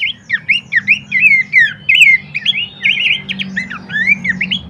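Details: Song of Horsfield's babbler used to train and provoke birds into singing: busy, bubbling chatter of bent whistles and squeaky slurs packed closely together, with a soft low drone underneath.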